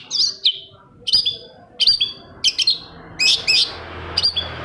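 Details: Shrike singing as a lure to trigger another shrike: loud, sharp, slurred whistles repeated roughly every half second to second, each note bright and slightly buzzy, with a soft hum beneath.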